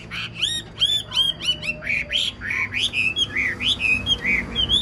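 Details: Old wild-caught Chinese hwamei with an excellent singing voice, delivering a fast stream of loud, looping whistled notes that rise and fall in quick succession.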